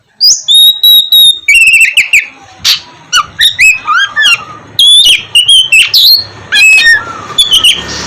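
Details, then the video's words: Loud, varied Oriental magpie-robin song used to prompt lazy birds to sing mornings: near-continuous sequence of sharp whistles, downslurred and upslurred notes and scratchy bursts over eight seconds. "KACER GACOR cocok buat pancingan kacer malas bunyi dipagi hari"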